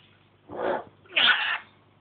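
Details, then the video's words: Pet African grey parrot indoors doing all sorts of noises: two breathy, hissing, sneeze-like bursts in quick succession, the second higher and harsher. "the african grey chatting away again...."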